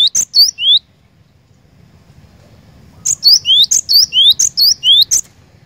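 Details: Cinereous tit singing actively: a short run of high chip and whistled slur phrases, a pause of about two seconds, then a faster string of similar repeated phrases.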